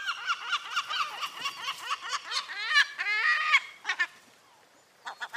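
A herring gull gives a run of loud, harsh, nasal yelping notes, about two per second, building into a rapid laughing series before a few short final calls.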